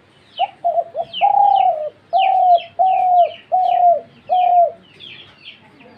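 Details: Dove cooing in a sequence: a few short stuttering notes lead into five drawn-out, husky coos that droop at the end, with bright twittering from other small birds throughout.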